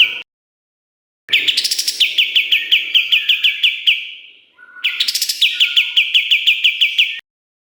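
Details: Kapas tembak in full energetic song with sharp fills, a recording for training songbirds; two long bursts of rapid, evenly repeated sharp notes, each opening with a high rising flourish.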